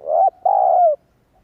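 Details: Spotted dove calling to attract wild doves: one close, loud phrase made of a short coo and then a drawn-out, gently descending coo, followed by silence.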